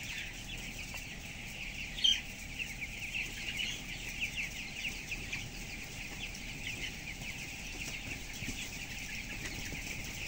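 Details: Inside a closed broiler house of 7,000 birds, 12-day-old chicks of 423 grams keep up a thin, overlapping peeping with one louder sharp chirp near the start, all over a low steady hum.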